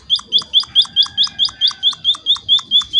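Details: Munia chirps played to coax other munias into answering. Thirteen evenly spaced, sharp, high notes in three seconds on a very quiet background.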